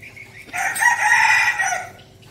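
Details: One sustained, shrill crow lasting about a second and a half, from a red junglefowl kept captive as a decoy bird in Bình Phước, Vietnam.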